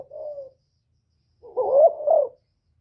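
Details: Spotted Dove kept in captivity as a decoy, cooing to excite other birds: a soft level coo trails off, then after a pause comes a louder wavering double coo, rising and falling, recorded close without background noise.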